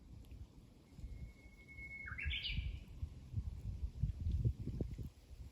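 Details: Song of the Japanese bush warbler: a long, high, steady whistle for about a second, then a fast tumbling phrase of rising notes, with rumbling low background noise throughout.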